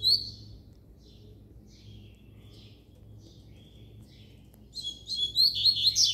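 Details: Double-collared seedeater giving a loud, high chirp, then scattered soft notes, then a vigorous closing burst of rapid, piercing twittered phrases over the final second and a half.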